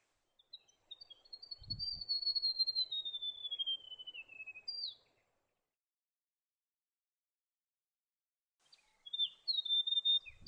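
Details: White-throated gerygone singing a sweet, thin trill that slides steadily downward over about four seconds, then a brief pause and the start of another high descending phrase; quiet background with a low thump early on.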